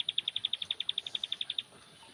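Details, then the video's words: Young bar-winged prinia, known locally as ciblek, sunning itself: a rapid, even run of about eighteen identical high, sharp notes at a steady pace, then quiet. "Jemur tipis-anakan ciblek pare"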